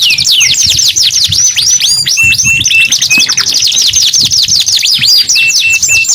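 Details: Canary song of very rapid trilled sweeps interspersed with short flat whistled notes, continuous and bright with little background noise.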